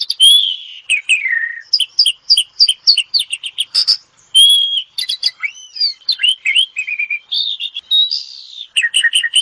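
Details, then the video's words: Ngetop-style song of an Asian pied starling, used as therapy: strings of loud chips and downslurred whistles, a brief noisy burst, then looping upswept whistles and chatter. "Kicau super jalak suren ampuh untuk terapi"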